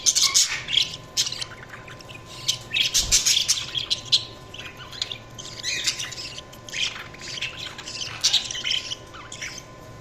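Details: Several budgies chirping almost continuously, with overlapping scratchy, high-pitched chatter in irregular bursts and only brief pauses, over a faint steady hum.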